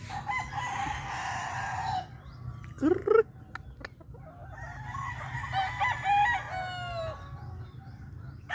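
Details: Cyborg Grey rooster crowing: a long, hoarse, harmonic-rich crow stretched over about two seconds, after an earlier rough burst and a few sharp clicks, with low background hum throughout.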